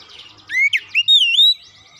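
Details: Oriental magpie-robin (kacer), a previously silent bird prompted into fast, full song by a single lure sound: a short phrase of clear whistled notes, one rising slur then a long wavering whistle, with faint background hiss.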